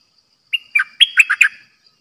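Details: Decoy bulbul kept in a cage for bird trapping sings a single short burst of six mellow, gurgling notes, rising then falling, lasting about a second against near silence.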